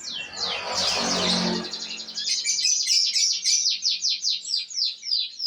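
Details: F2 canary song: after a loud noisy opening stretch, a bright, high, fast rolling trill takes over, its repeated pulses slowing slightly toward the end.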